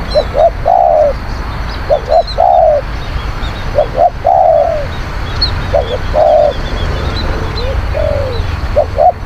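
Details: Spotted dove used as a lure for wild doves, cooing in phrases of two quick soft notes and a longer falling coo, repeated about every two seconds, with high twittering of small birds behind and a low steady rumble.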